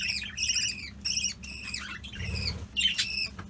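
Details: Pet budgerigars breeding indoors without a nest box, with four weaned chicks; harsh, raspy squawks and scratchy chirps in quick bursts, some rising and falling, over a low electrical hum.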